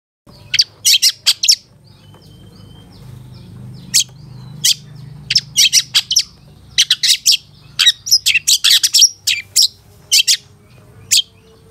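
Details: For training caged birds, a long-tailed shrike sings rapid clusters of shrill, scratchy chirps in bursts separated by short gaps, with a low steady hum in the background.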